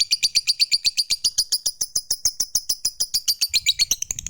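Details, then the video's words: Lovebird's extended ngekek: a high, rhythmic trill of evenly spaced pulses, roughly five per second, kept up for about four seconds before it fades into soft low noise. "SUARA BURUNG LOVEBIRD Gacor, JAGO NGETIK Bikin Lovebird Apapun Lekas TAMPIL NYAUT NGEKEK"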